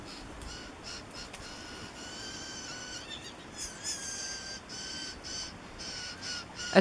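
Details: A baby Blue Jay in woods in fall 2016 gives harsh, wheezy begging calls to its parents for food, repeated in quick bursts about every half second, with faint speech in the background.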